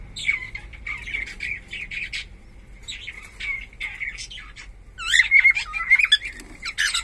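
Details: Pet cockatiel of undetermined sex chattering steadily with buzzy, scratchy warbles, then breaking into loud, bright looping whistles that rise and fall in the last two seconds.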